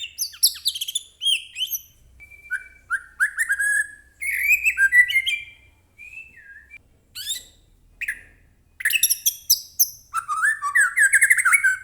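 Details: White-rumped shama song played to provoke a captive bird into singing: varied whistled phrases, rapid high twittering bursts and rich falling notes in quick bouts separated by short pauses.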